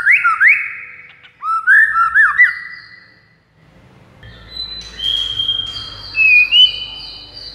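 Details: Lure song of a white-rumped shama meant to attract rival males: a few swooping whistled phrases, a silent gap, then sustained high pure whistles that shift between pitches.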